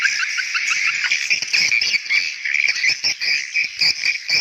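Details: Swiftlets in a call meant to draw young swiftlets: dense, overlapping high chirps and trills with rapid clicking ticks, continuous and busy throughout.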